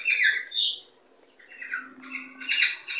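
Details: Cockatiels, in a sound used to prompt mating and production: a few clear whistled chirps, a short pause, then a rising burst of rapid overlapping squawks.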